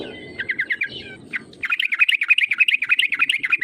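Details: Sooty-headed bulbul call played as a lure to set rivals singing: a short stuttering run of chattering notes, then a long fast bubbling burst of bright, wavering notes.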